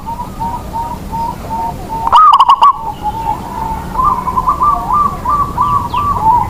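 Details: Local zebra dove used as a lure bird to prompt other doves to sing. One loud, distorted phrase of quick cooing notes, with a steady series of softer repeated coos running in the background.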